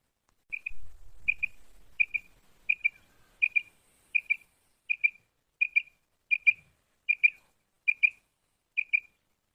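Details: Female quail calling: clean, high, doubled chirping notes, a quick two-part pip repeated about every three-quarters of a second, steady and evenly spaced against near silence, with a brief low rustle at the start.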